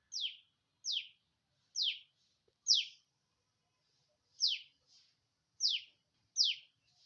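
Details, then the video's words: Bird chirping in the morning: sharp, bright descending chirps repeated about every second, seven main notes with a few fainter softer chirps between them, over a quiet background. "Morning vibes #nature #natural #birds_chirping"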